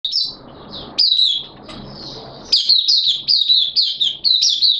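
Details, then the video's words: Malaysian Oriental white-eye (mata puteh), in happy, open-beaked song display, singing high, thin twittering phrases of quick falling notes in rapid bursts about twice a second over faint low background noise. "Mata Puteh Happy Buka Sing"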